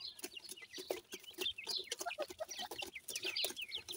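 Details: A group of baby pheasants happy with new food, calling in quick sweeping peeps, repeated many times per second, with pecking taps underneath.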